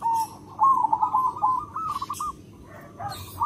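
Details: Local zebra dove, a loud-voiced, persistent singer whose voice is used as a lure to attract other zebra doves: a short coo, then a long rolling trilled cooing phrase, then softer closing coos, with scratchy rustling bursts between.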